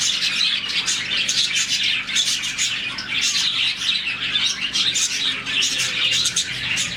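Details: Budgie colony of roughly 40 birds chirping at morning, a sound linked to contentment; many shrill, quick chirps overlap into a continuous bright chatter with small swells in volume.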